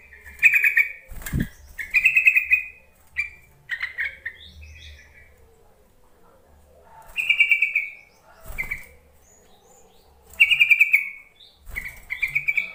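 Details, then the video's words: Yellow-vented bulbul calling, played to coax lazy bulbuls into answering; short bubbly trilled phrases repeated in bursts, with several sharp thumps or knocks between them. "Suara panggilan trucuk untuk memancing trucukan bahan ombyokan malas bunyi"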